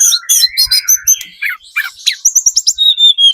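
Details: A lure recording of a speckled 'trotol' Sunda robin to prompt other birds to answer: buzzy chattering notes and a low wavering whistle, then a run of sharp, high clipped whistles.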